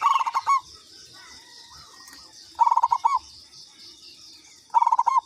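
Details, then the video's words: Local zebra dove lure call: three cooing phrases roughly two seconds apart. Each is a rapid stutter of soft pulsed notes ending in a drawn-out coo, over a steady high-pitched insect-like hiss. "Pancingan Perkutut lokal katuranggan"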